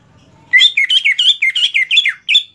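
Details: Greater green leafbird singing for tutoring other birds; a fast, regular string of about ten bright warbled notes alternating in pitch, with a brief pause before the last one.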